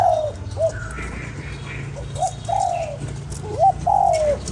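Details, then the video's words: Spotted dove calling to stimulate a lure bird: short soft coos followed by longer drawn-out, gently falling hooted notes in a slow irregular series, over a steady low background hum. "Cu gáy kích bổi"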